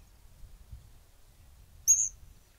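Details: A variegated flycatcher in Argentina gives one very high, thin, sibilant whistle lasting about a quarter second, after a stretch of faint low rumble.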